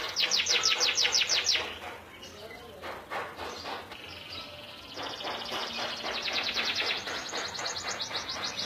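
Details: Local canary in full, vigorous song: fast, high trills of repeated bright notes, then a quieter buzzy stretch, then long rapid rattling trills that rise into higher sweeping notes, with steady background hiss.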